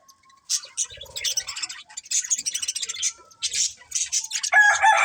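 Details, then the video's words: Breeding pair of budgerigars chattering in quick, scratchy bursts of high chirps and squeaks, irregular and overlapping, with a louder harsh rasping call near the end. "Cute Budgies Chirping Sounds"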